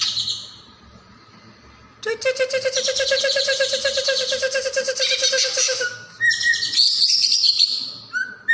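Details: Leafbird singing on a recording for training other songbirds: after a quiet start, a long, rich, buzzy note pulses for almost four seconds, followed by varied whistles and high buzzy bursts.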